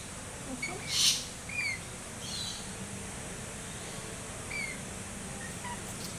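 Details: Wild Rainbow lorikeets, bold and unafraid, help themselves to breakfast on Brampton Island in the Southern Whitsundays; one loud, harsh screech bursts out early, followed by scattered short, thin chirps over a soft outdoor background.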